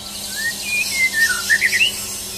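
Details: Champion white-rumped shama under a mental test delivers smooth slurred whistles, long gliding notes that end in three short bright upward flicks, against a constant shrill background trill.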